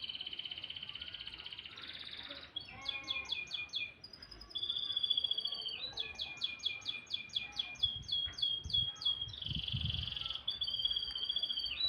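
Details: Canary in morning song, loud and tireless: rapid series of high sliding notes repeated in quick bursts, alternating with sustained buzzy trills, nearly continuous throughout with light low rumble in the background.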